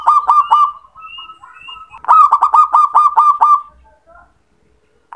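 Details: Calling male zebra dove: loud, rapid staccato cooing bursts, three notes then a longer run of about eight, with faint whistled notes from other birds between them.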